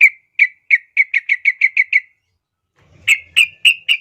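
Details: Sooty-headed bulbul, recorded as a master for young birds, delivering a series of about ten clear whistled notes that quicken, then a pause and a louder run of notes over faint low noise.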